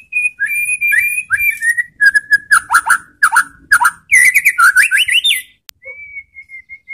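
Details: White-rumped shama song played to trigger other shamas into answering: dense, varied whistled phrases and buzzy trills in quick succession, then a short pause and a thin, steady whistled trill at the end.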